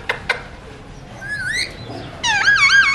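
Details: Talking-mutation Alexandrine parakeet, eating seeds, makes two clicks, a soft wavering whistle, then a loud wobbling, warbled phrase of rich harmonics near the end.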